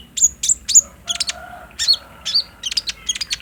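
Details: Captive-bird lure of an olive-backed sunbird, recorded on a phone: a short run of high, piercing chips, roughly two per second, with a couple of thin whistled notes between them.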